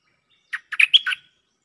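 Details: Cream-vented bulbul used as a lure, countering a resident bird: one loud, clean phrase of five quick chirpy notes, the fourth a bright whistled peak, rising and falling over about three quarters of a second, then silence.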